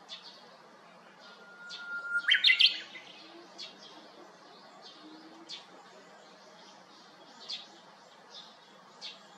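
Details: Japanese bush warbler singing from a cypress beside an empty house next door, 7 May 2021: a steady, level whistle held about a second, then a quick bright warbled flourish; soft high chirps of other birds scattered throughout.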